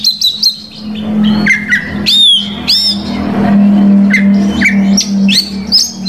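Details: A singing oriental magpie-robin, used to provoke rival males. Loud whistled phrases include sweeping downslurs and sharp repeated chips in bursts, over a constant low electrical hum.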